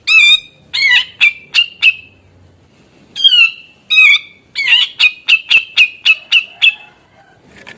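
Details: Grey-cheeked bulbul singing gacor, used to get hesitant or young birds to sing along. Coarse falling squawks alternate with runs of rapid staccato notes, ending in a long even series of about nine clipped notes.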